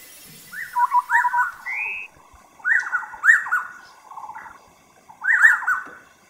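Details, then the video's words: A Taiwan scimitar-babbler (Pomatorhinus musicus) gives rich, hooting whistled phrases that dip and rise, repeated in three bursts about every two seconds, with a quieter trailing note between. "Taiwan Scimitar-Babbler"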